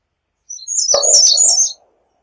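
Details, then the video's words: Song of an American redstart, a brisk run of high, thin, slurred notes lasting about a second, with a brief low click and faint lower rustle partway through. "American Redstart Song! Call! Sound! Singing! - Candelita Norteña Canto"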